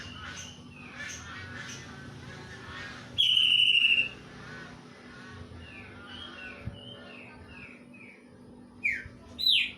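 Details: Greater green leafbird singing kingfisher-imitation material: a run of faint short falling whistles, then one loud steady whistle near three seconds, more quick downslurred notes, and two sharp rising-falling whistles at the end.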